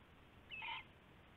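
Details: Nighttime owl near a nest during a rabbit prey exchange, early morning of February 19, 2016; a single short raspy call, slightly rising at the start, rings out once against faint background hum.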